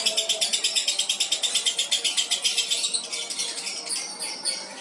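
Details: Albino lovebird, calm in competition, giving a classic long ngekek: rapid, rhythmic, shrill chattering pulses, strong at first and then turning rougher and quieter in the latter half.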